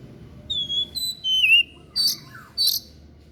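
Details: White-breasted bird with an unusual song used as tutor material for training other songbirds: long pure whistled notes, some sliding downward, followed by two short buzzy, harsh bursts with a soft low hum underneath.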